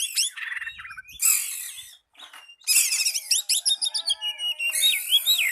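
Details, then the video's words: Singing Oriental magpie-robin challenging a rival: harsh buzzy bursts, then quick series of rising chirps and varied whistles, a short pause near the middle. "Pancingan Burung Kacer Memanggil Lawan"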